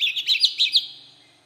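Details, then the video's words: Oriental magpie-robin singing in wild-type voice, five or six bright chirps in fast succession with a faint low hum beneath, the sound dying away after under a second. "Chích Choè Than giọng rừng kích bổi"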